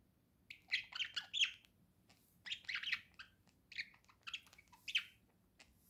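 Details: Budgerigar indoors chattering in bursts of harsh, buzzy warbled notes mixed with squawky chirps, pausing briefly between phrases.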